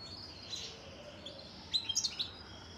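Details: Song of a European goldfinch: a short run of bright, high-pitched twittering notes in quick succession, following a few faint chirps, over steady background noise.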